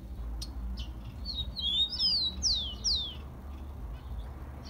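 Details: Rufous-collared sparrow (tico-tico) from Brazil, song for stimulating captive birds: a cluster of overlapping whistled notes, rising then falling in pitch, forming one bright phrase of about two seconds, with quiet hum behind.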